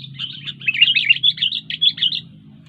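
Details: Sooty-headed bulbul delivering a continuous, fast, bubbling warble of slurred notes for about two seconds, with a low hum in the background.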